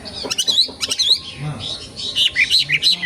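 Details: Short bursts of bright chirping and twittered notes from a young wild wambi, broken by brief pauses, with some low muffled sounds underneath.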